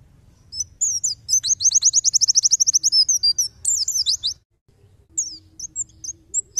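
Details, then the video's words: White-eye tembakan song serving as a tutor recording for songbirds: high chirps lead into a long rapid trill of identical notes, a burst of descending notes, silence, then scattered soft whistles. "Tembakan pleci!"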